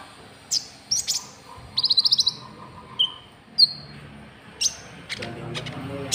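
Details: White-cheeked bulbul call for luring rival birds: scattered sharp high chirps, then a fast burst of about seven buzzy ticks, followed by clear whistled notes and a few more separated chirps.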